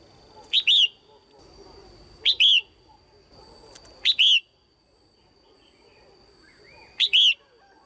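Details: Calls of a female red-whiskered bulbul, used to excite males or to form a pair: crisp paired whistled notes, repeated four times roughly every one to three seconds against a soft murmuring background.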